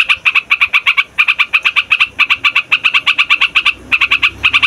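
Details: Noisy yellow-vented bulbul for luring wild birds and prompting young ones to sing: long, steady runs of sharp, metallic notes at roughly four per second, briefly breaking off then resuming, with a faint low hum beneath.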